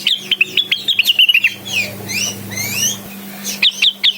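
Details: Blue-winged leafbird singing hard to call a rival: a fast series of clipped whistled notes, then slow sweeping whistles over a steady low hum, and a few more sharp notes at the end.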